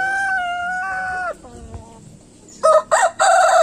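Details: A rooster holds a long, steady crowing note that fades away. After a near-silent pause, a new crow bursts out in three sharp, loud syllables.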